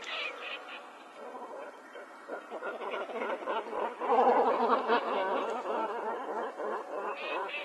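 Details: Great cormorants recorded on 3 January 2007 in Niigata city, Niigata, Japan, give harsh, guttural croaks and gargling grunts in a rapid, overlapping chatter, like several birds calling together at a colony.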